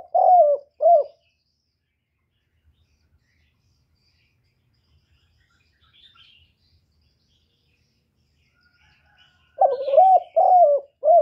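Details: Spotted dove giving low, mellow coos: a two-note phrase at the start, then a long silence, then a four-note cooing phrase with slightly falling notes near the end. The background is quiet apart from faint, distant chirps.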